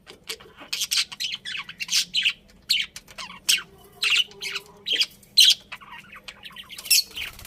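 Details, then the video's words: Pet budgerigars chirping: a steady run of bright, high, sharp chirps and short squawky notes, about two per second, in a quiet indoor setting with a low steady hum underneath. "Cute Budgies Chirping Sounds"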